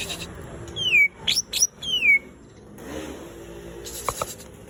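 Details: Greater green leafbird in light 'shot' song style: loud clear whistles sliding downward from high to mid pitch, with a sharp rising note between them, followed by quieter scratchy notes.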